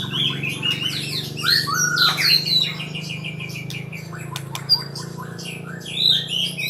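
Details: White-rumped shama learning to sing rolling trills, giving scattered varied whistles and chirps at moderate volume against a steady background hum, with a single sharp click midway.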